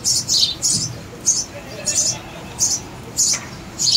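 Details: Baby sparrows giving shrill, rasping begging chirps in irregular bursts, some closely paired, over faint low rumbling.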